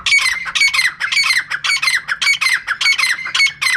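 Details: Female francolin (teetar) calling, a sound used to lure birds for catching: loud harsh squawking notes with a strong steady tone, repeated in rapid clustered bursts, nearly two per second.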